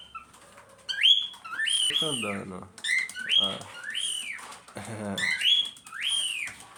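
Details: Cockatiels calling back and forth: a steady string of arched whistled notes, several paired, with a lower rasping voice mixed in mid-sequence.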